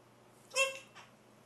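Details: Macaw chatting: one short harsh squawk with stacked bright harmonics, followed by a fainter, softer second note, over a quiet steady hum.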